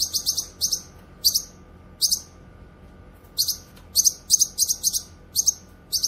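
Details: Grey-cheeked bulbul (cucak kinoy) song recorded for tutoring songbirds and luring wild birds: very high, sharp double chirps in short clusters, pausing between bursts, ending in a quick run of four to five notes; faint low hum behind.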